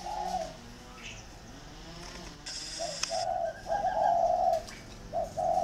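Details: Two decoy spotted doves competing, Ba Vì, Vietnam; quiet start then a rapid series of rough coos, brief high hiss in the middle, more coos closing.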